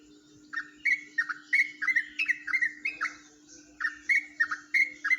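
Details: Ropelan-type singing by a Jombang yellow-vented bulbul, unlike most of its kind: quick chortled phrases of bright slurred notes, a short break near three seconds, then more rapid chirps; steady background hum.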